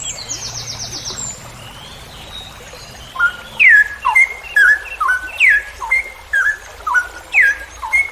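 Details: Straw-headed bulbul in a masteran recording meant to teach other songbirds. After a few seconds of faint high trills, it bursts into loud descending whistled phrases, repeated roughly every second.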